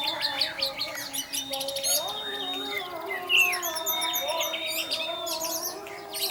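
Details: Orange-headed thrush in the 'teler' singing style, used as a lure to get other thrushes singing. Busy, varied song of quick high chirps, slurred whistles and rapid trills, over steady low tonal droning.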